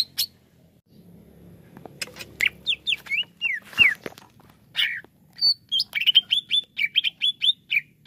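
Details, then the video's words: Greater green leafbird, a kept songbird, producing scattered slurred whistles and a harsh descending squawk, then a quick series of bright chirping notes, over a faint low background hum. "TERAPI CUCAK IJO LELET BUNYI"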